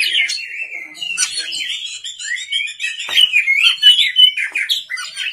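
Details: At night, an Oriental magpie-robin sings energetically: dense chattering and whistled phrases with quick slurs, plus a few sharp clicks.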